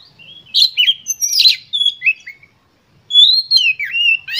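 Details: Oriental magpie-robin in an emotional lure song to provoke rivals. A rich, scratchy warble mixes with sweet whistles, then a short silence, followed by long, clear, wavering whistled notes.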